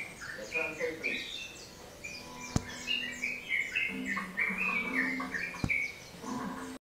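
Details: Yellow-vented bulbul, locally called trucukan or trotokan, singing busily: rapid, bubbly chirping phrases tumbling over one another almost without pause, with low humming, voice-like tones underneath and two sharp clicks.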